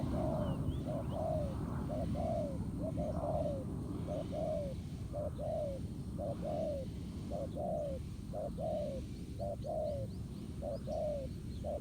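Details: Wild spotted dove cooing strongly at a ground decoy in a trap, the two birds in a fighting match: a long series of short, mellow, slightly falling coos about once a second, with a steady low background rumble.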